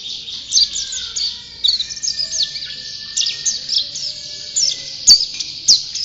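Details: A champion white-eye chatters nonstop in a thin, very high twittering warble of quick downslurred notes. A couple of sharp clicks stand out near the end.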